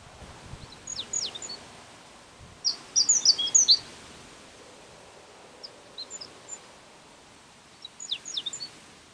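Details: An endangered Japanese reed bunting at Ukishima, Ibaraki, sings short, high, scratchy phrases of quick chirped notes every few seconds, one louder burst among fainter ones, over a quiet outdoor background.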